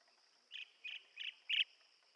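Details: Blue-tailed bee-eater: four short burry calls evenly spaced about a third of a second apart, the last one loudest, over a steady high insect-like hum.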